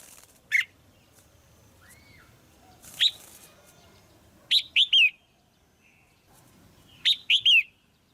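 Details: Female red-whiskered bulbul uttering calls to stimulate a male or for pairing: scattered single notes and a soft rising-falling whistle, then two three-note whistled phrases with a falling final slur, about two and a half seconds apart.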